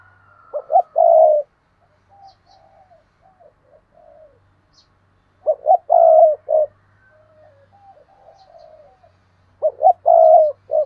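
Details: Decoy spotted dove calling. Three cooing phrases come about every four to five seconds, each made of short clipped notes and then a drawn-out coo. Soft, quieter cooing fills the gaps, and a faint low hum runs underneath.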